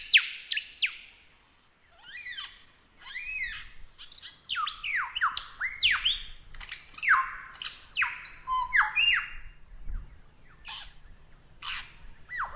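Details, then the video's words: Lyrebird song used as a masteran tutor recording: a rich, fast medley of loud downward-slurred whistles, sharp chips and sweeping notes in rapid succession, with a brief lull near the start and a faint low hum beneath. "Masteran Burung Lyrebird SUARA EPIC!"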